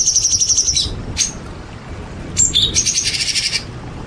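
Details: Champion white-rumped shama song set against rain: a rapid buzzy high trill, a short gap, then another harsh rattling burst with a brief whistled note, over a constant soft hiss.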